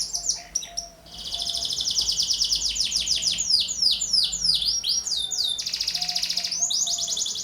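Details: Young canary in vigorous song, offered to stimulate and tutor other birds: an extended rolling trill flows into a long series of dipping whistled notes, then a harsh buzzy trill and bright sweeps.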